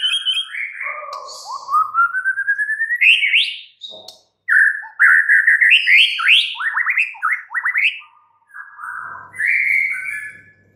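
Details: Caged white-rumped shama (murai batu), said to have gone mute under stress, singing again: a long rising whistled run followed by quick varied sweeping notes and trills, briefly pausing mid-song.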